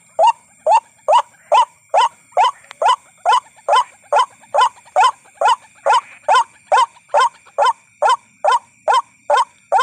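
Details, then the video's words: A White-breasted waterhen (ruak-ruak), used as a lure recording to attract the birds, gives a loud, croaking 'kwak' note repeated steadily more than twice a second in an even chain, over a faint constant hiss. "LUAR BIASA KEAMPUHAN SUARA PIKAT INI 📢..!! INI BUKTI NYA👆 / WHITE BREASTED WATERHEN SOUND"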